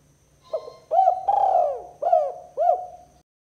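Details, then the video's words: One whole kuk 2 phrase of a spotted dove aimed at drawing in rival doves: a quiet opening note, a sustained rolling coo, then two short arched coos, with a faint low hum beneath. "Suara Burung Tekukur Kuk 2 Paling Gacor Terbukti Ampuh Untuk Pikat & Pancingan Tekukur Lawan"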